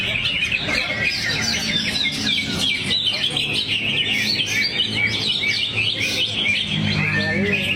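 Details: Greater green leafbird (cucak hijau), a kept songbird, delivering its song material while in a relaxed swaying state: a dense, continuous stream of fast chattering whistles and trills, high-pitched and unbroken, with a faint low hum underneath.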